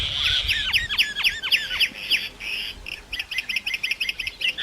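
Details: Varied singing from a common myna: a cascade of steep descending whistles running into a fast, regular chatter of short clicking notes.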